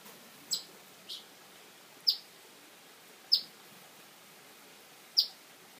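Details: Eastern phoebe parents unhappy at a person nearby give sharp, high chip notes, one every second or so at an uneven pace, over a faint steady hiss.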